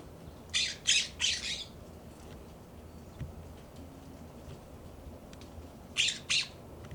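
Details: Immature California scrub jays in a yard in Pacific Grove, California, give harsh, raspy squawks: a quick burst of three, then a pair a few seconds later, over a quiet background.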